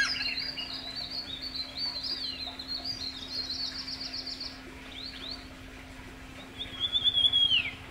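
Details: Scaly-bellied Woodpecker (Picus squamatus), a resident of the Himalayan foothills, gives rapid, high chirping notes for about four seconds, then a clear whistled phrase, over a low steady hum.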